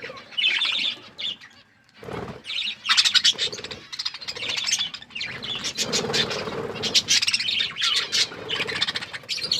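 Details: Several budgies chirping as they eat, with loud bursts of rapid squeaky chatter and warbling broken by brief pauses, plus rustling and low mid-range scratching sounds.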